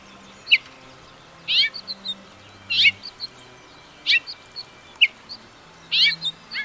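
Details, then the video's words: House finch song fragments: sharp chirps and buzzy, down-slurred bursts repeated every second or so, separated by short high notes, with a soft low humming tone beneath. "The Wonderful House Finch Song"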